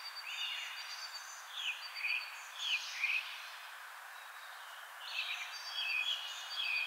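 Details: European robin spring song: thin, high, liquid phrases of warbles and trills with quick slurred notes, broken by short pauses, over a steady background hiss.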